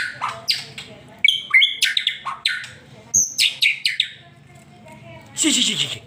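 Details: Fast white-rumped shama song meant to make a pet bird sing: crisp chips and short whistles in quick succession, a pause, then a buzzy burst ending in a long descending sweep; low hum throughout.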